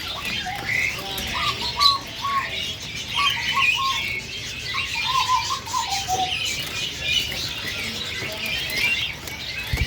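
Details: Masked laughingthrush, a young bird described as still rengas, giving short whistled notes in little repeated groups over a background of busy chattering and rustling.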